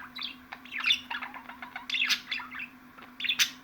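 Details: Budgerigar chattering in a busy warble of short chirps and squawky notes, bursts roughly every second with brief pauses; a steady low hum runs underneath.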